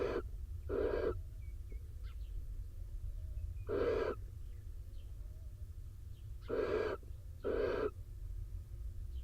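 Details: Wet male barn owl rejoins the incubating female in a nest box in Israel after rain; five breathy screeching hisses in irregular pairs and singles across nine seconds, faint squeaks between, steady low hum.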